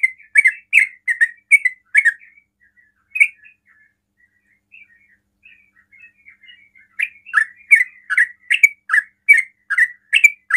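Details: Yellow-vented bulbul in rapid ropel song to draw answers from other bulbuls: quick bubbly chirps, then a pause filled by soft scattered notes, then another burst of loud chirps at a brisk pace.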